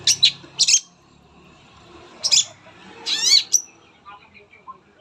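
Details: Long-tailed shrike (cendet) used as a singing lure for other shrikes: a few scattered harsh bursts and one longer falling buzzy phrase over a quiet, low murmuring background.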